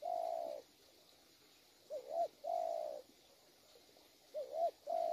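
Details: Wild-caught spotted dove cooing quietly against background hiss: smooth, level coos alternating with short wavering double notes, about five sounds in five seconds.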